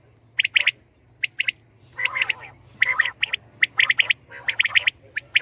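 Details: Common quail, locally called batair, calling: short bright buzzy notes in clusters of two or three, repeated with uneven gaps, with several birds overlapping at times over a faint low hum.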